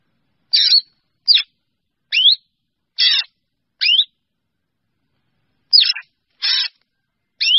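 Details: Drongo calling the flock together: a steady run of eight brief notes, roughly one a second, alternating rising whistled slurs with short harsh rasps, and a pause midway.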